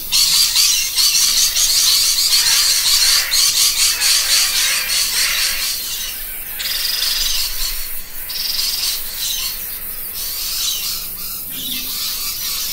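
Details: Parrot vocalizing: a fast run of raspy, pulsed rattling notes at first, giving way to longer harsh high squawks with occasional short pauses.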